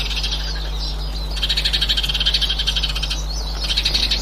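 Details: Eurasian siskin recorded on 18 March 2024: a fast, buzzy twittering chatter of rapid high notes in bursts, louder in the middle and at the end, over a steady low hum.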